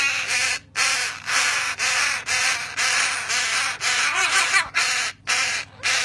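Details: Three tiny crow nestlings in care, too young to regulate body temperature after their nest was removed from a crane, give harsh, grating begging calls: a rapid overlapping run of raspy caws about twice a second with brief pauses.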